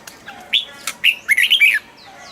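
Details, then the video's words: Double-style song of a cage-kept red-whiskered bulbul: a rising whistle, a short chip, and a quick chain of liquid, bouncing notes, with a faint high chirp afterwards. "นกปรอดหัวจุก นกปรอดหัวจุก เสียงนกกรงหัวจุก ขวัญใจสายเบิ้ลอาชีพ"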